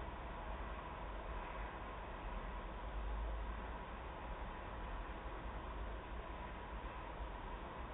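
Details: Even low rumbling noise, like traffic or a passing train, continues throughout without any animal voice.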